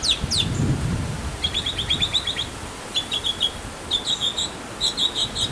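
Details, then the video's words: Backyard male mockingbird song aimed at winning a female: two sharp descending swoops, then rapid strings of repeated bright notes, each phrase repeated three to six times with brief pauses between. "Mocking Bird 200 Sounds to Get the Girl!"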